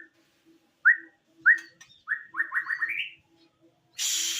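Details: Caged white-rumped shama singing clear whistled notes that sweep upward, then a quick run of rising whistles. A burst of broadband noise follows at the end.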